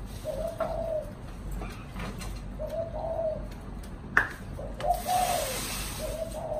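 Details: Spotted dove, a caged bird kept as a pet, giving low hollow coos repeated roughly every two seconds, with a sharp click and brief rustling noise in a small room.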